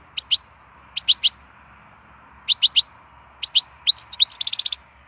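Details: Wild European goldfinch used for song stimulation: clusters of two or three short, high chirps spaced about a second apart, then a quickening run of bright twittering notes at the end.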